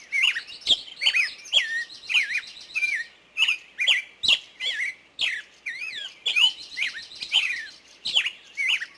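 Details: Woodland bird song: varied twisting whistles and sharp chips in short phrases, repeated about every half second, with several overlapping high notes.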